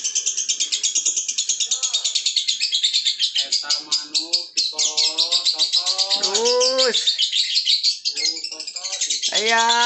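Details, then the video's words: Caged lovebird holding a long ngekek trill approaching three minutes, a dense stream of high, sharp chattering notes rippling without pause while men talk excitedly in Sundanese and Indonesian over it. "ngekek durasi panjang"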